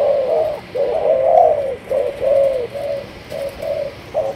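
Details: Spotted dove of a Malaysian line cooing: a run of soft, low, hollow coo notes, some drawn out and gently wavering, others short, given in an uneven series with brief pauses between phrases.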